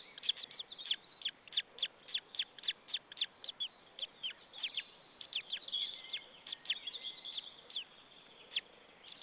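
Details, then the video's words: Left alone after a parent departed, a white-tailed eagle chick chirps in its Estonian nest, 26 April 2013, 16:44; rapid series of shrill, downward-flicking notes, then a looser stretch with a few longer wavering calls. "left the nest and calling in the air The baby is alone and tjirping"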